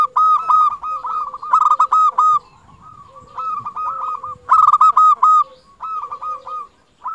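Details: Zebra dove of a local strain singing persistently, fast staccato coo series with loud trilled flourishes roughly every one to two seconds, softer fading coos between, and a faint lower-pitched coo alongside.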